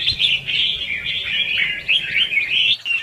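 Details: Competitive "ché"-style singing by red-whiskered bulbul, played as a lure for trapping and for training birds: a continuous stream of bright, rolling whistles with little pause, briefly breaking near the end.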